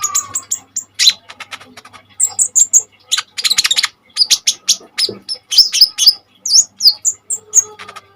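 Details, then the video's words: Energetic song of a common iora, meant as a tutor and lure for other birds: fast stream of high sharp chips and clicks mixed with short whistled notes, near-continuous with brief pauses, faint low hum beneath. "KONIN GACOR FULL TEMBAKAN SADIS"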